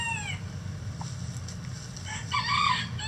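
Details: Chickens from a mixed egg-laying flock call inside their coop. A falling squawk opens, a quiet stretch with low hum follows, then a louder cackling burst arrives near the end.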